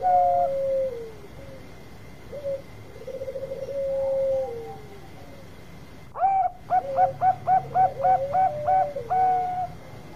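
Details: A Bangkok zebra dove sings a long call used as a lure for other birds: falling coos and a soft trill with long held notes, then after a sharp click a series of about ten crisp staccato notes ending in a drawn note.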